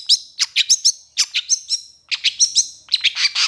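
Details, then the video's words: Long-tailed shrike singing energetically in long bursts, a tutor recording for lazy or silent shrikes. Quick series of sharp, descending high chirps in three clusters, each cluster of four to six notes, clean background. "SUARA PENTET GACOR EMOSI TEMBAKAN PANJANG"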